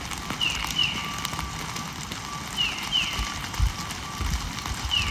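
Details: Tufted titmouse (Baeolophus bicolor) song in spring, clear downslurred peter-peter phrases about every two seconds over low thumping and rumbling background noise.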